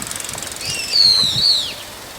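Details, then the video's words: Brown-eared bulbul on an overhead wire at dusk gives one drawn-out, piercing screech that holds steady, then slurs downward, after a few faint ticking sounds. "ヒヨドリの鳴き声～夕方の２種類の鳴き声～Brown-eared Bulbul"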